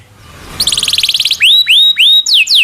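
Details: Local canary singing a long rolling song used as a tutor for magpie-robins and other songbirds: a fast trill of short high notes, then repeated loud upslurred whistles sliding up and levelling off, then quick downslurred notes.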